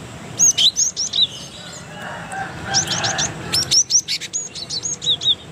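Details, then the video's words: High chirping song of an Indonesian cinereous tit, a master recording for teaching other birds: scattered bright whistled upslurs and sharp ticks over a soft, noisy background. "MASTERAN Gelatik Batu"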